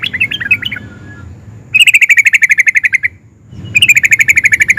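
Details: Yellow-vented bulbul (trucukan) singing with excitement in nguplik and ngerol style to set off other bulbuls: a short warbled phrase, then two long, fast rattling trills of even repeated notes with a gap between.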